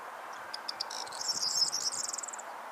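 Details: A male corn bunting sings at full effort at Marshfield, South Gloucestershire, England, on 5 June 2014: a few ticking notes speed up into a high, jangling, glassy trill.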